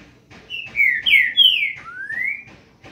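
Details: Rufous-bellied thrush of the boiadeiro song style, singing a short phrase of clear whistled notes, first level and slurred downward, then a long rising whistle, with faint background noise.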